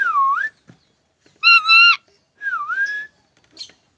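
A lorikeet whistles clear swooping notes that dip and rise, with a harsh buzzy burst between them. There are no other sounds.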